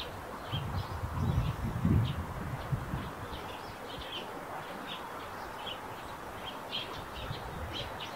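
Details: Eurasian tree sparrow near its roof nest, a steady stream of short high chirps about every half second, with low rumbling outdoor noise early on.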